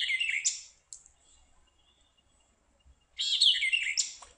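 White-eyed vireo giving two quick, emphatic phrases of sharp chips and slurred whistles, roughly 'chick-wee, perchio, chick', a few seconds apart.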